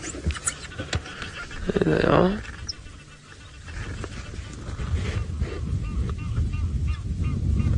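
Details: Egyptian goose near guinea fowl on a sunset drive at 5:20 PM, 12 October 2017, in South African or Kenyan (Mara) game reserves, giving one brief harsh husky honking burst while a man speaks over steady outdoor noise.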